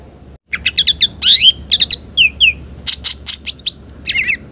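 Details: Actively singing Green leafbird with a rich varied repertoire for luring and tutoring other birds: rapid clicky chirps, buzzy trills and sweeping downslurred whistles delivered in a dense, irregular stream.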